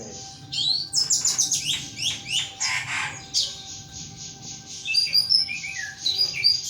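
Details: Thrush kept as a pet, singing energetically: a dense run of quick clicking and buzzy notes, then clear high whistled phrases repeated near the close, with a low hum behind.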